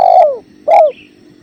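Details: Spotted dove giving two deep, drawn-out coos that slide downward at the end, close together, with a soft background of river water and a brief high whistle.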